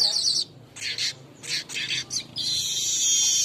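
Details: Lure recording of a golden-headed weaver for tutoring caged birds. A high hiss gives way to bursts of scratchy, chattering notes and ends in a sustained, wheezy buzz.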